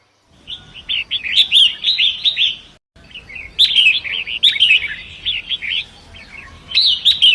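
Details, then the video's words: Long-tailed Shrike in forest by a rushing river, song for training other songbirds: rapid rattling and warbled phrases in repeated bursts, a short silent break after three seconds, then more varied chatter over running water. "Masteran Pentet Hutan Sungai Deras"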